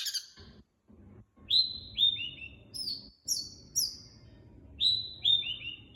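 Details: Lure recording of a long-tailed shrike for birds that stay silent: clear high whistles, each sliding downward and trailing off, given singly or in quick pairs with short pauses, over a faint low background murmur.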